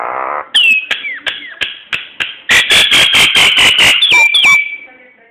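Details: Song of a Nias hill myna, a lure for encouraging other birds to sing: a low gurgle, falling whistled slurs between clicks, a loud run of harsh rapid pulses, then two bright downslurred whistles.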